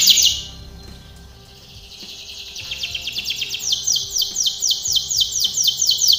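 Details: Canary singing a training song, starting with a brief high note, then a quiet gap, then a slowly building trill of falling sweeps that grows louder and faster toward the end; low background hum.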